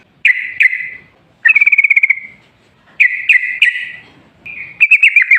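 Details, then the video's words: Sooty-headed bulbul from the forest, singing profusely as a lure to prompt other bulbuls to sing: clipped bright notes and short rattling trills in separate bursts with quiet gaps between them. "Suara trucukan gacor ropel ngalas buat pancingan trucukan agar bunyi"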